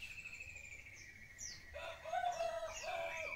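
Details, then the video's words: Medan variety of white-rumped shama in full song: a long steady whistled note followed by a burst of varied sliding whistles and rich lower warbled phrases, several quick notes overlapping. "suara muraibatu Medan full isian"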